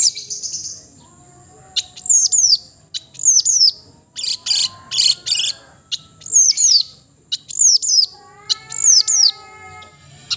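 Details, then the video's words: Melodious cendet, or long-tailed shrike, song: repeated high notes slurring steeply downward, interspersed with raspy bursts, while soft level whistles sound faintly underneath. "the melodious sound of the cendet bird"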